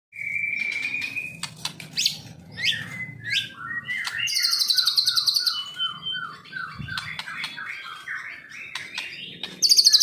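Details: Bird song of a white-rumped shama hoped to win contests, opening with a long steady whistle, then sharp notes, a run of repeated descending slurred notes and bursts of very high buzzy sound.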